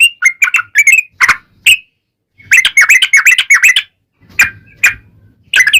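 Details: Yellow-vented bulbul used as a lure for answering bulbuls: bursts of chattering, bubbly notes separated by short silences, with a few louder isolated chirps and faint low background rumble.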